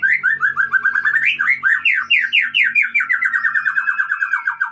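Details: Loud, rapid song from an Aceh white-rumped shama breeding bird: chopped whistled notes rise into sharp sweeping phrases, then settle into a fast, even trill that falls slightly, over a faint low hum.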